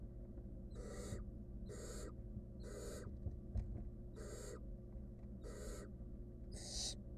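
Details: Seven rhythmic, scratchy hisses from a wild barn owl chick feeding on a rodent in a monitored nest box, each short and evenly spaced about once a second, with a faint tap midway.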